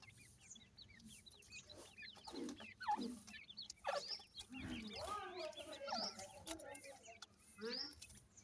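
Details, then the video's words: Many peeping grey francolin chicks (irani teetar). Quick, high cheeps come in scattered bursts, broken by sharp clattering thumps and a few lower, harsher notes near the middle. "irani teetar chicks voice, irani teetar speaking,grey francolin bird chicks"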